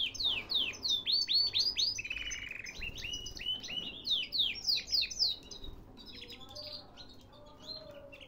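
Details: Canary kept in Baghdad, Iraq, singing a run of loud, clear, downward-sweeping whistled notes in quick succession, with a short buzzy phrase in between. The song fades into softer notes near the end.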